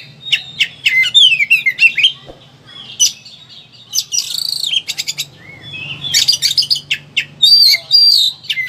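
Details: An Oriental magpie-robin in high emotion sings a dense medley for training quiet birds, mixing whistled slurs, scratchy buzzes and rapid chattering notes, with a faint low hum underneath.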